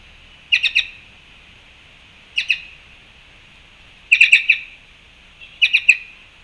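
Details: At a Panama fruit feeder, March 2, 2021, black-chested jays give clipped, harsh notes in bursts of two to five, repeated roughly every one and a half to two seconds against a constant high hiss.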